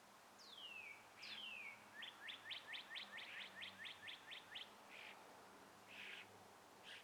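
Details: Birds at morning sunrise among trees in a gentle breeze: two high, sweeping downslurred whistles, then a fast trill of about a dozen sharp repeated notes, followed by a few scattered chirps over a steady airy hiss.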